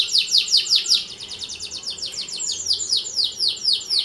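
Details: Singing canary whose song serves as a model for teaching or provoking other canaries, delivering a fast series of downward-sweeping chirps repeated about three times a second, rich and high.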